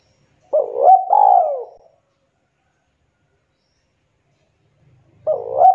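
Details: Spotted dove calling to its companions: one throaty two-part coo, a brief rising note then a longer falling one, followed by silence and the start of another coo over a faint low rumble.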